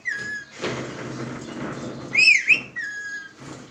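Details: Talking pet parrot that says "Miya mitho": a short steady whistled tone opens, followed by a stretch of broadband noise. Then come a loud, wavering, two-part harmonic utterance and another level whistled note, with a faint sound at the close.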